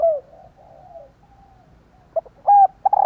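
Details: Female spotted dove calling to trigger cooing from males: a falling coo, soft murmured notes, then two quick short notes and a longer, louder hollow coo.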